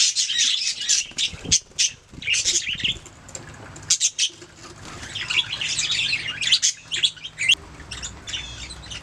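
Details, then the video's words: Budgerigars singing and chirping: continuous scratchy warbling with quick squeaks and rasping trills that rise and fall, occasional brief gaps between bouts. "Budgies singing making sounds chirping"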